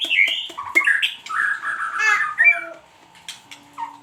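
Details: White-rumped shama singing as a lure: rich, loud whistled phrases that slide and warble, followed by a few sharp chips and a short falling whistle, over a constant faint hum.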